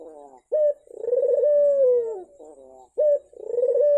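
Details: Turtle dove coo played as a lure to get a silent dove to sing again. A brief sharp note leads into a long drawn-out mellow coo that sinks at the end, then the pattern starts again.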